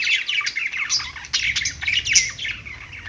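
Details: Several pet budgies chattering on their perch, a busy run of quick high chirps, trills and squeaky notes that carries on without a break.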